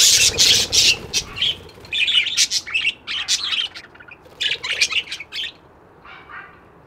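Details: Budgerigars chirping in quick, irregular bursts of bright, high twitters and short warbles, with brief quiet gaps between clusters.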